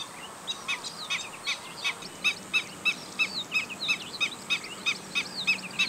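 Black-winged stilt giving sharp, yelping 'kek' notes, about three a second in an uneven series, with a faint hiss of background noise.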